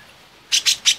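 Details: A Grey-cheeked Bulbul gives three quick, harsh, chattering notes, each about a tenth of a second, in a bright, high burst over a quiet background.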